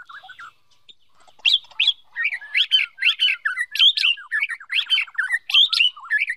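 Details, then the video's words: White-rumped shama male rehearsing song as a female stimulates him; after soft twitters, loud repeated bursts of sharp high notes alternate with quick descending trills in a fast, rhythmic stream. "Chim chích chòe lửa rừng mái kích trống luyện giọng"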